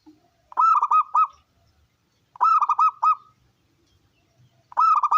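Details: Wild-origin local zebra dove with a big voice, a lure to prompt other doves to sing: three short cooing phrases of rapid staccato notes over a rolling coo, repeated about every two seconds, in quiet surroundings.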